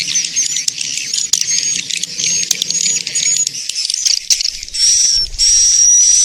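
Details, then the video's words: Lure recording for attracting swiftlets: fast crackly twittering chatter at first, then two longer buzzy bursts with a clear whistled tone. "SUARA TARIK MANSYAH WALET"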